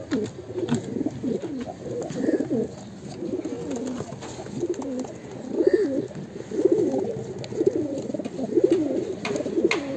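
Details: Breeding pair of fancy pigeons in Mumbai cooing: low, throaty, rolling coos repeated about once a second, with faint background clatter.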